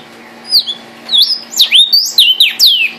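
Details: Red cardinal song of bright whistled notes, each sweeping steeply down from high to middle pitch, delivered in a quick irregular series of about seven phrases, with a faint steady hum behind.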